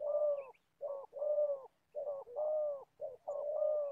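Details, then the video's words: Spotted dove kept as an old decoy bird for trapping gives a deep, hoarse cooing in short phrases. Each phrase holds a brief note followed by a longer, steady one, repeated several times with small pauses in between. "Bẩy cu gáy. Clip 65.. mồi già bắt bổi thổ tốt tiếng"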